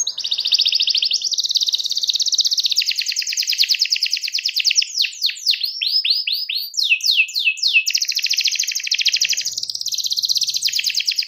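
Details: Canary singing a loud, continuous high song, marked as a rival-calling song meant to spur silent canaries into singing: dense rapid trills, then a run of fast descending sweeps around the middle, returning to buzzy trilled phrases to the end.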